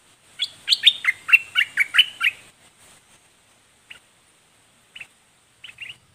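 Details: Red-whiskered bulbul in a loud, fast run of about eight bubbling, slurred whistles, followed by a few faint isolated notes.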